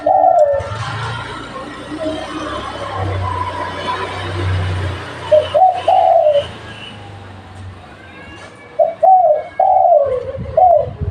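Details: Lure spotted dove of local stock. A loud rushing, rumbling noise fills the first half. Then come short clusters of hoarse low coos, each note sliding downward, repeated in quick pairs and triplets.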